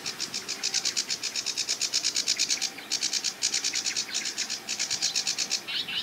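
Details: Sedge Warbler song from the top of a tree by a marsh with reeds: long stretches of rapid, grating, rattling notes, broken by a few short gaps and ending in a squeaky flourish.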